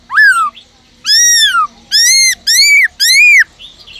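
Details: Black-throated laughingthrush (Garrulax chinensis), a cage bird singing: five loud, ringing whistles, each arching up then down, spaced about half a second apart; otherwise quiet.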